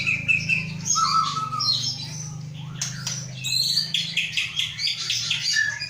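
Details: Captive white-rumped shama from Aceh, Indonesia, hatched 23 August 2012, mixing short whistles and scratchy high chatter over a steady low hum.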